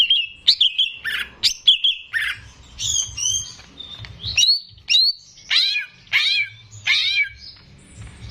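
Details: Greater green leafbird kept in a cage, the keeper's own singer in full voice, used to train untrained birds: a varied run of high whistles, chattering notes and sweeping downslurred phrases, delivered in quick bursts.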